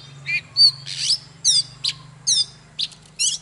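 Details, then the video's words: Oriental magpie-robin, old wild-caught bird, singing and displaying: separate bright phrases of warbled whistles and scratchy trills spaced about half a second apart, with a continuous low drone behind. "Chòe than Già rừng hót múa CỰC ĐỈNH || Chòe than Căng Lửa || Kích chòe than HÓT SÁNG"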